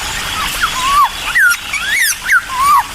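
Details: Cucak timor singing energetically to provoke other birds into answering: loud slurred whistled notes, some falling and some arched, given in an uneven series with short pauses between phrases.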